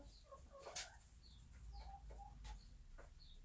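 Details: Bantam hen in her nest in a backyard on a small farm, giving soft, scattered clucks and short rising notes, with faint clicks and rustling around her.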